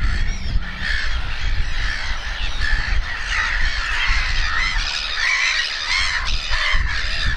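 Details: At RSPB Snettisham, Norfolk, a black-headed gull colony with fluffy chicks, 29 May 2018: dense harsh squawks and short nasal cries from many gulls, a few clearer thin notes standing out, wind noise underneath.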